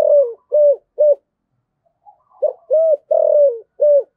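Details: Cooing spotted dove in a recording meant to draw wild doves in, 2023: three short rounded hoots, a pause, then a soft note and four more coos, one drawn out and gently falling.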